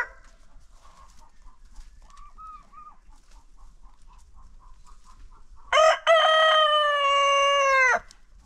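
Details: Farm roosters in a daily after-breakfast crowing contest; a string of soft repeated clucks comes first, then a loud crow with a brief opening note and a long even second part ending abruptly.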